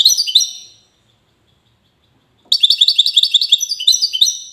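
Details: A goldfinch of the Wedani song type, kept in Safi, Morocco, gives a short twittering run that trails off. A long silence follows, then a dense, rapid stream of high, tinkling chirps and trills.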